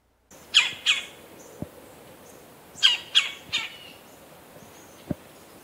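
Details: Red-bellied Woodpecker, heard in winter in eastern North America, gives harsh, rolling churr notes in quick pairs and a short run of three, like science-fiction laser fire, with faint soft clicks between them.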